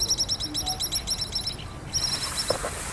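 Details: Pied kingfisher on Kinmen, where it is resident, calling with clear, shrill, high notes in rapid chattering runs for about one and a half seconds, then a denser continuous burst after a short pause; faint background hiss.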